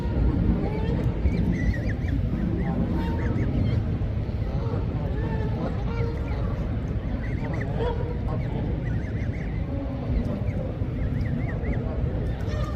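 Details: Canada geese and goslings on the water, swimming and feeding, give a continuous scatter of short nasal honks and chattering calls throughout, with a heavy low background rumble.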